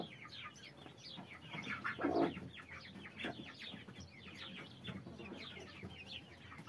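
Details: Broody hen accompanied by 33 chicks: constant high falling peeps from many chicks, overlapping busily, with a louder low hen cluck around the two-second mark.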